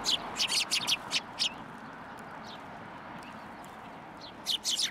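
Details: Sparrows coming to a shrine post to be fed, 2 January 2023: bursts of quick sharp chirps at the start and end, with a quiet pause between.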